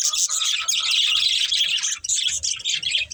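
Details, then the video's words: Budgies from a breeding pair give a loud, harsh, squawky warble that barely pauses, with a short break near two seconds before the chatter resumes. "Beautiful Budgies Chirping Sounds"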